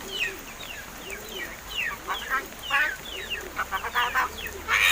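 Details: Crested mynas (Martinez birds), kept since about seven months ago and now able to talk; rapid run of falling chirps and clipped notes building to louder harsh, rasping bursts near the end.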